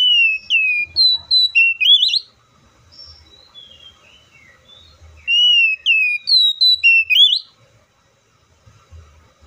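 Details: An oriental magpie-robin sings the same whistled phrase twice, separated by soft scattered notes. Each phrase has falling and level whistles building to a rising looped flourish.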